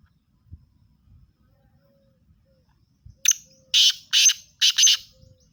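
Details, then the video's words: Calling black francolin, the Sindhi teetar: quiet background with a few soft knocks, then a short lead-in note and four loud, scratchy, rasping syllables delivered at an even, quick pace. "shehdi Teetar || Master sindhi teetar"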